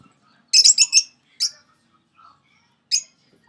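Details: Six-month-old pet sun conure, kept alongside budgies and lovebirds, giving a quick burst of four harsh, piercing screeches, then two more single shrill squawks after short pauses, in an otherwise quiet room.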